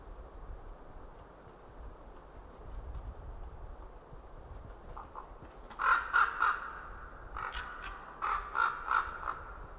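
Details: Two ringed White-tailed eagles calling in a tree at the Nova winter feeding ground, Estonia, 20 January 2013 at 15:30, give two bursts of harsh yelping notes, about three per second, over a low steady wind rumble.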